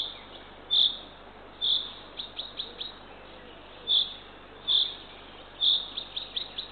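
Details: Eurasian eagle-owl owlet, third of the brood, fed at dawn by its mother in Northern Estonia, 6:21 am, 3 June 2023. Grating high calls about once a second, with groups of faint rising chirps between them.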